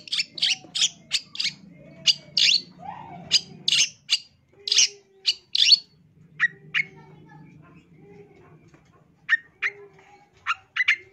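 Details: Long-tailed shrike singing loudly as training audio: bursts of sharp scratchy chips in quick succession, then a pause and a few rising chirps, with a faint low hum underneath.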